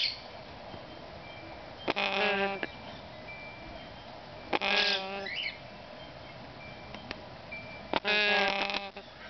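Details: Yellow-naped amazon chicks making three drawn-out, nasal, buzzy calls roughly every three seconds. Each call lasts about half a second, with faint background hum and softer squeaks between them.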